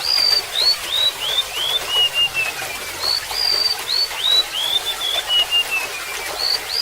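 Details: Golden-bellied gerygone song, intended for training other songbirds, with high sweet whistled notes slurring downward in a falling cascade, given twice about three seconds apart, over a steady hiss of trickling water.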